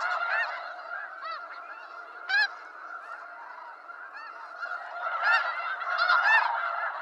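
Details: Flock of wild snow geese in eastern North America, with steady overlapping background honking and louder, sharp yelping honks bursting out near the middle and again toward the end.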